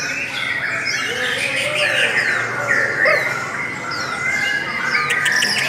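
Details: Lovebird song, long and sweet: repeated downslurred squeaks and a warbling chatter running steadily, with a few lower rolling notes.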